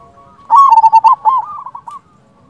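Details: Zebra dove, local Indonesian type, cooing to lure others into answering: a single loud rippling phrase of quick coos trailing into softer ones, then quiet.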